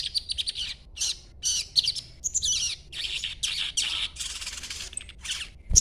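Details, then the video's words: Chattering of a young sogon, still green, played so that other sogon respond; rapid clusters of harsh, high buzzy chirps in short bursts separated by brief gaps, with one low thump at the end. "sogon muda ijoan ngriwik coba dengarkan ocehanya pasti nyaut bunyi sogonmu"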